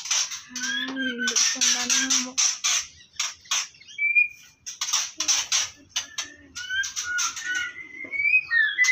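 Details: White-rumped shama nestlings being harvested from a captive breeding nest give rapid, rough, hissing begging rasps in quick bursts, mixed with thin whistles and a few low, hoarse doubled notes near the start.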